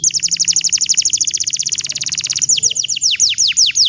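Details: Bottle-green canary in full song, used as tutor song for juvenile canaries: a rapid rattling trill of sharp descending notes, about fifteen per second, breaking into slower, louder downward-swooping whistles.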